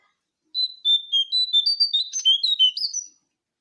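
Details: Lure call of a jongkangan coklat bird: a quick run of clear whistled notes, slightly wavering, some rising and falling, about a dozen in under three seconds, on a silent background.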